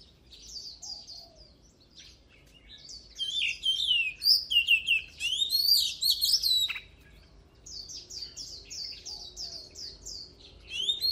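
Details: Oriental magpie-robin singing for voice training: a long run of rich, varied whistles and sharp slurred notes, building to a loud middle section, then evenly repeated falling notes near the end.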